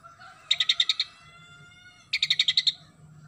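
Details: Oriental magpie-robin singing sparrow-style imitations: two bursts of six to seven rapid, evenly spaced chattering notes about 1.5 seconds apart, with thin steady whistled tones and a low background hum between them.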